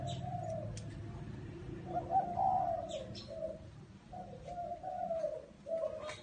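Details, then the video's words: Repeated low cooing of a spotted dove in a small garden, broken into several rounded phrases over six seconds, with faint high chirps from other birds and a low rumbling hum underneath. "Tiếng Chim Cu Gáy"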